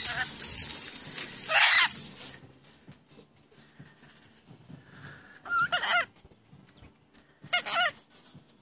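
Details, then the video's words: Pet rainbow lorikeets talking: a long harsh screechy burst, then two shorter raspy phrases with wavering squeaks, with quiet room noise between. "My Rainbow Lorikeets talking like crazy"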